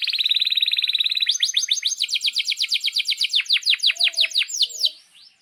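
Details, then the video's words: Canary singing a long roll for young canaries to learn from: a steady, very rapid trill for over a second, then quick repeated falling notes slowing into separate whistled sweeps before fading. "Kenari GACOR PANJANG INI Cocok untuk Masteran KENARI PAUD dan Kenari Macet BUNYI"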